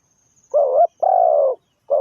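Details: Spotted dove used as a decoy for trapping, giving low, hoarse coos: a short, quick double note followed by a longer drawn-out coo, then the next phrase begins; otherwise quiet.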